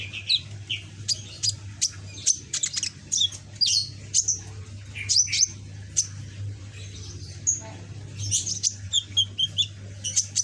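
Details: Still-young pet ninja sunbird, red-green backed, learning song phrases, pours out busy high-pitched twittering with clipped chirps and brief whistled slurs in irregular bursts; a low steady hum runs throughout.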